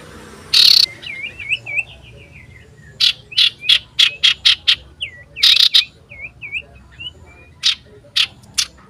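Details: Common iora in full voice seeking a rival, dated 27 December 2022: runs of looped, bouncing whistled notes broken by loud harsh rasps and quick clicking bursts, against a quiet low hum.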